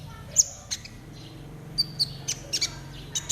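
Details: Konin trotol, a caged bird, in a recording played so that other konin start singing quickly. Sharp, very high, thin chirps come singly or in quick pairs at irregular gaps, over a steady low hum.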